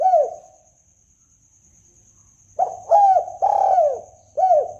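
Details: Lure call of a spotted dove for trapping: one soft coo fading out, a long quiet gap, then a quick run of three or four throaty, downward-bending coos, with a steady high-pitched whine throughout.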